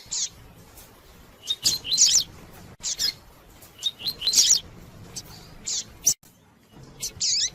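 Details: Double-collared seedeater singing in tui tui style to provoke and warm up other males; short bursts of high chirps and twittering phrases about every second, with isolated sharp notes between.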